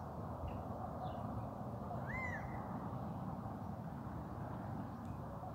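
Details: Male Gambel's quail calling from a rooftop, recorded May 23, 2024: a single loud arched note, rising then falling, with faint higher bird notes earlier and a steady low rumble of background noise throughout.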